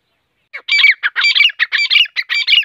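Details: Morning call of a grey francolin, locally teeter: rapid, rattling bursts of scratchy, high squeaky notes crowded together in a dense, uneven series, with a quiet background.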